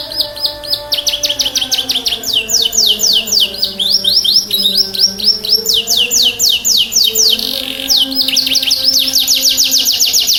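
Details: Vigorous canary song meant to trigger song in silent or stressed canaries: long, loud sequence of rapid high trills and descending sweeps, changing pace midway, with quiet low tones underneath.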